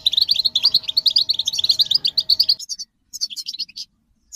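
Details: European goldfinches twittering together, used to stimulate caged males to sing and break their silence; described as mating and readiness calls. Dense rapid high chirps pour out for about 2.5 seconds, then a short pause and scattered twitters, over a faint steady hum.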